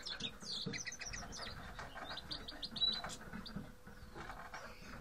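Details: Grey-headed goldfinches giving a busy run of short, high twittering chirps and buzzy notes, tightly packed in the first second and in scattered bursts after, over low rumbling background noise and a steady faint hum.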